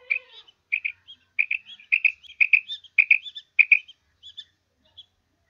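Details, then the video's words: Female quail calling: sharp, high, clipped notes mostly in close pairs, repeated about every half second, with short softer chirps between and after them. A brief low tone opens the recording. No other sounds are heard. "Madi batair kirk"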